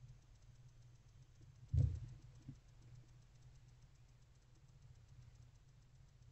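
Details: Quiet low hum with a single soft thump and a faint second knock, no animal calls.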